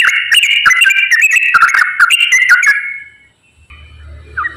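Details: Straw-headed bulbul pouring out fast 'ropel' song as a lure for lazy bulbuls: about three seconds of loud, rippling whistled warbles ending abruptly, then silence and a faint hum with one last short note.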